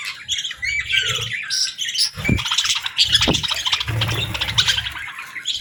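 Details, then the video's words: Budgies in calm morning light while eating and bathing, a female among them chirping gently: dense, scratchy, high warbling chatter with sharp chirps, plus low thumps and rustles. "Real Budgies Enjoying Morning"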